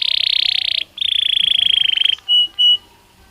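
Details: Belgian canary singing naturally, song offered as daily stimulus for training canaries: a long fast buzzy trill held at one pitch, a brief break, a second rattling trill, then two short clear whistled notes.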